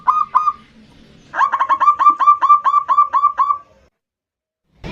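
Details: Local zebra dove singing the 'ndudut' variation as a rival lure: two opening notes, a pause, then a run of about eleven fast, hooked, ringing notes fading to silence.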